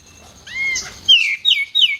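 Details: Loud, sharp White-eared bulbul whistles for training songbirds: a rising then falling slurred note, followed by three quick downslurred whistles in close succession.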